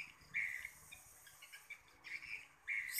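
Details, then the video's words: Swiftlet calls recorded on a late-October evening in 2021. A few sharp, bright chirps are spaced about a second apart over a quiet, faintly hissing background. "respon walet akhir okt 311021 petang"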